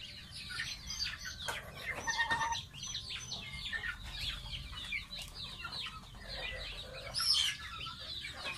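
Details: Gosling of a domestic goose, kept as a pet, during a bath; shrill chirping peeps come in quick clusters, with a few sharp clicks or knocks and a brief louder whistled peep near the end.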